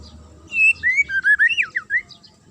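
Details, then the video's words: Murai giving a sharp provoking song: a continuous warbled phrase of clear whistles that rise and fall, sliding between notes in quick succession. "DIJAMIN Langsung NYAUT dan NGAMUK Pake Suara TAJAM Murai ini"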